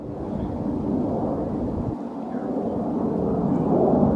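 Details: Steady low rumbling noise like wind or distant thunder throughout, with no animal calls.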